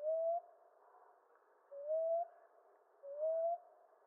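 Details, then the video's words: Common ground dove cooing: three short, soft notes, each sliding slightly upward, separated by pauses of about a second and a half. "Ground Dove Sound"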